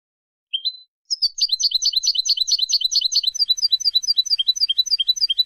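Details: European goldfinch song used for tutoring young goldfinches and hybrids: a short rising note, a pause, then a long fast run of liquid, tinkling twitters that gradually loosen into spaced chirps.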